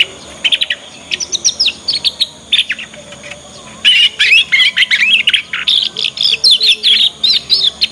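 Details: Song of a young Yorkshire canary learning the ngriwik sound, played as a lure so other canaries respond and learn quickly. Continuous rapid twittering of high, sharp chirps and trills, rising in density midway, with a steady background hum.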